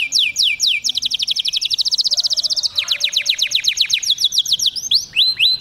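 A canary sings rapid rolling trills of high, sweeping notes, switching every second or two to a new repeated phrase; nothing else is heard.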